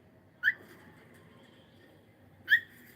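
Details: Pet cockatiel giving two short, sharp whistled chirps about two seconds apart, each bright and rising slightly, over a quiet indoor background.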